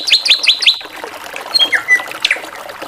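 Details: A drongo sings in varied 'gacoran' style, opening with four quick, bright chips, then a pure whistled note, a flat mid-pitched whistle and a final falling slur.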